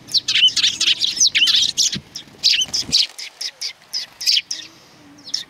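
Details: Sparrows crowd around at a Tenmangu shrine, 3 July 2020, coming out to meet a visitor. A busy chorus of high, clipped chirps overlaps steadily, easing into scattered single notes near the end.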